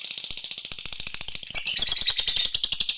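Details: Lovebird fighter in long ngekek chatter, meant to provoke other lovebirds: a dense, rapid, high buzzy chattering run without pause, growing louder and brighter halfway through, with rattling clicks underneath.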